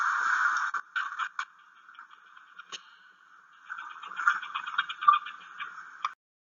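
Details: A Rufous-tailed Plantcutter (rara) in central Chile gives its distinctive song: harsh, grating, frog-like rasps in stuttering bursts, with a long creaky buzz building in the second half.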